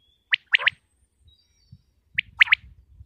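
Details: Pakistani common quail (batair) from Punjab giving two brisk three-note phrases, a single clipped note followed by a fast pair, separated by a short pause with faint low rustling.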